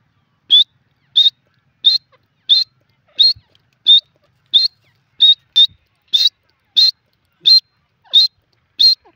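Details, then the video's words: Grey francolin calling: a loud, clear, high whistled note repeated about every 0.6 seconds, fourteen times in a steady series, over a silent background. "dakhni teetar ki awaz 🔥bhora teetar ki sound"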